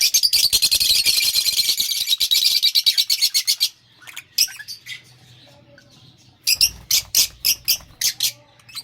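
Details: Lovebirds chirping in a dense, rapid chatter of high, scratchy notes for almost four seconds, then a pause with faint calls, followed by a burst of about eight sharp, evenly spaced chirps.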